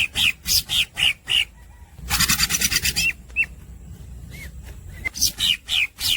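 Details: Greater green leafbird singing nonstop in a fast, lively style: bursts of harsh buzzy notes alternate with short upslurred whistles, a dense rasping trill fills the middle, and chattering notes return at the end.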